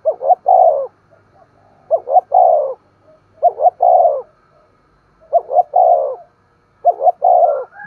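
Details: Spotted dove coos, aimed at stimulating a decoy dove to coo and call: five repeated low phrases, two quick upslurred notes leading into a long descending coo, roughly every one and a half seconds.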